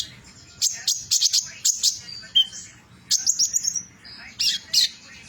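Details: Metallic-mutation Van Hasselt's sunbird singing trotol: bursts of rapid, piercing high notes alternating with brief thin whistles, a short dip to a lower slurred note midway.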